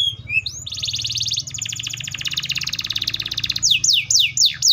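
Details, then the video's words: Canary song opening with short slurred whistles, then a long, fast buzzy trill that slowly fades, followed by a run of five loud, steeply descending whistled sweeps; a low hum sits underneath. "THE VOICE OF THE CANARIA SERINUS"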